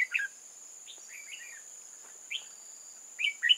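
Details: Red-whiskered bulbul singing around a trap in old forest on 8 October 2018: separate short whistled, warbled notes, then a louder quick cluster at the end, with a continuous high insect tone behind.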